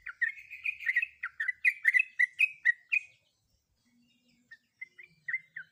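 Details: Female sooty-headed bulbul in breeding condition calling for a male: three seconds of rapid, loud chirping notes, then a pause and a few scattered softer chirps.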